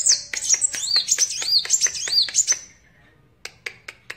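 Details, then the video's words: Energetic song of a sunbird called kolibri wulung or kaca: rapid, high, looping whistled notes that rise and fall, then a short pause and a few isolated sharp clicks. "Burung Kolibri Wulung / Kaca Gacor"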